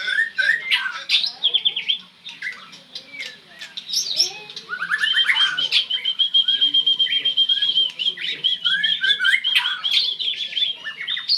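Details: Oriental magpie-robin, named locally, with a long, even, high whistled trill sustained for several seconds. Scratchy chirps and sharp notes are mixed in and come before and after it.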